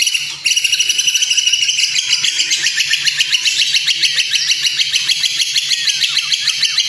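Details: White-rumped shama, kretekan style meant to stir emotion and teach song: a loud, unbroken stream of rapid high ticking notes, about three a second, held throughout.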